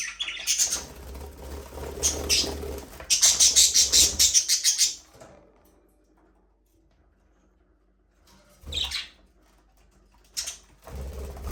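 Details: Budgerigars talking, singing and playing in an aviary at breeding time: several seconds of dense, buzzy, scratchy chattering, then near silence broken by two short sharp chirps later on, with a low background hum.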